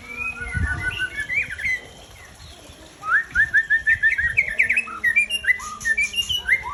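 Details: Aceh white-rumped shama (murai Aceh) breeding bird singing rapid strings of repeated sharp whistled notes, interspersed with varied slurred phrases, with a low thump early and a constant high-pitched hum behind.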